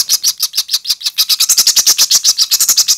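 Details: Nestling chimney swifts giving rapid, high-pitched chittering calls, a steady stream of short buzzy notes repeated about three to four times per second throughout.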